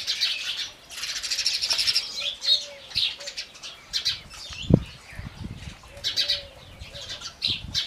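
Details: House sparrows chirping in a dense, overlapping chatter of short bright chirps that runs almost without pause, with louder bursts around the first and sixth seconds and a few soft low thumps.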